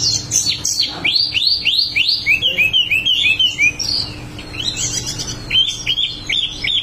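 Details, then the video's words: Energetic 'ngerol' singing from a wambi: sharp downward-slurred chips follow one another quickly, then runs of lower chirps and brief high twitters, the phrases repeating roughly three times a second. "wambi mini gacor ngerol"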